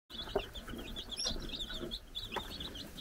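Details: Four-day-old chicks running around on a farm in the Czech Republic while a brood hen watches, giving a continuous chorus of high, thin peeping chirps, with occasional low clucks and knocks in the background.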